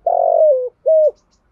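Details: Spotted dove, calls of cock and hen used to train birds: a long, rolling, buzzy coo that slides downward, followed after a short pause by one smooth, even coo, on a silent background.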